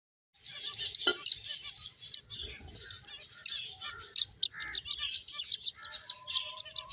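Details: Several finches chirping while playing: a dense, steady chorus of short, high, bright tweets and twitters overlapping throughout, with a few lower buzzy notes near the middle and faint soft thumps underneath.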